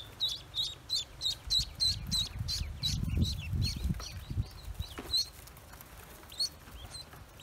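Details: Freshly hatched Pekin ducklings on a farm peep in a fast, regular series of shrill high notes, interrupted midway by low rustling and thumping sounds before the peeps resume more sparsely.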